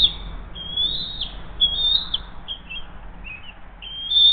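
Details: Mother bald eagle feeding her eaglet at the Hays nest, early morning of 20 June 2023, just after a second fish delivery; faint, thin high whistles, some flat and some dipping, scattered through a few seconds over steady background noise.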